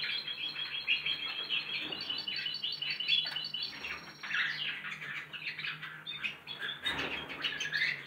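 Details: Young goldfinch x canary hybrids rehearsing canary-style song, with a run of fast repeated high notes, then varied twittering, a sustained whistle and rapid chirp trills across eight seconds, over steady faint hum.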